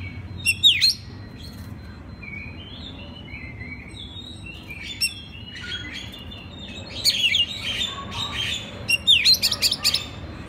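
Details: Oriental magpie-robin master song for training other birds of its kind: a sharp opening note, a run of soft gliding whistles, then dense scratchy chattering bursts toward the end.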